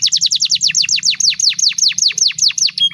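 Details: Canary master song for teaching young birds long singing: steady rapid series of loud descending whistled notes, about two or three a second, with faint low hum beneath.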